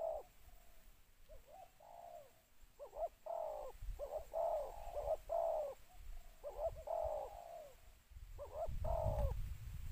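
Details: Calling spotted dove acting as a decoy to draw in wild birds, two-word 'khu-ang' style. Soft coos come in clustered groups of two or three, with gaps between, ending over low rumbling noise.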